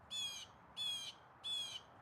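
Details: Blue jay heard outdoors giving a super loud call: three evenly spaced, harsh, nasal screeches of equal length, one about every two-thirds of a second, with a faint hum underneath.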